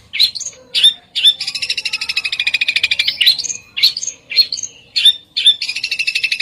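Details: Bird singing besetan song: sharp, high whistled notes alternate with a long, fast, buzzy rattling trill, then more clipped, piercing notes and another short rattle at the end.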